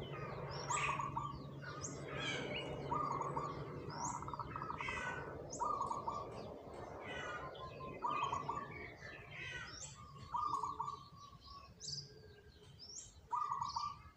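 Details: Three zebra doves picked as the keenest singers, used as lure birds, give rolling trilled coos again and again, a short bright burst every couple of seconds, with constant high chirps and twitters from other birds behind them.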